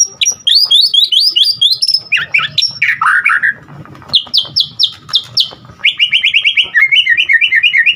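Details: White-rumped shama in full, rich song, used to prompt other shamas to sing and to rouse them: rapid high chattering phrases, a harsh downward burst, repeated short notes, then quick trilled runs.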